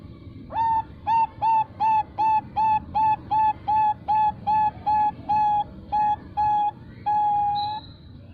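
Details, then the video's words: Farm-bred female zebra dove of the Bangkok type, kept as a lure to call males. About eighteen even, flat whistled coos repeat roughly every 0.35 seconds and end in one drawn-out final note with a long tail. "SUARA PERKUTUT BANGKOK BETINA UJUNG PANJANG"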